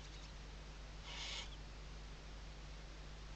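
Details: Western barn owl filmed by a nest webcam at Riet Vell Nature Reserve in Spain's Ebro Delta, Tarragona, 2023 season, morning: a single short, rasping hiss lasting under half a second against a constant low electrical hum.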